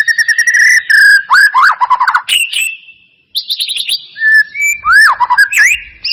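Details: White-rumped shama lure song meant to make a silent bird sing: varied whistles, buzzy notes and downward sweeps, a brief pause midway, then more swooping whistled phrases.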